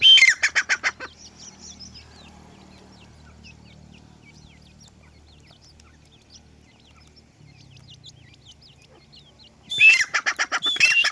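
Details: Young francolins (teetar) with loud, harsh, pulsed chattering at the start and end, separated by a long quiet stretch of faint, thin, wavering peeps and low hum.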